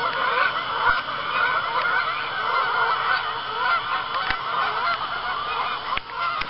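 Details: Geese on an Arkansas pond at sundown in autumn, honking as others fly in to land; clear nasal honks stand out above a busy flock chorus, with a few sharp clicks.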